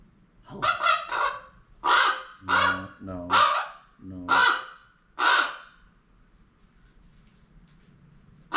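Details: Indoor pet common raven, female, squawking at close range, perhaps attempting speech: loud harsh caws, some with a lower buzzy, voice-like tone, about one a second, then quiet.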